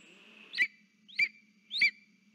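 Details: At the nest with a frog, a lesser spotted eagle calls to its mate on 3 September 2023. Three loud, shrill yelps, each sliding down in pitch, come about every 0.6 seconds against a faint constant whine.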